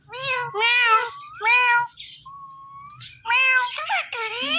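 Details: Pet ringneck parrot talking into a phone while watching himself, imitating a cat's meow: a run of nasal, harmonic meows, some bending upward, with a brief rising whistle in the middle.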